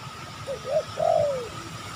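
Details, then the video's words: Wild spotted dove lured while trapping in an oil palm plantation behind a house; the bird is described as fierce. A short cooing phrase, two soft notes then a longer drawn, falling coo, over a steady background hum. "Mikat TEKUKUR,garang sekali burung hutan ini"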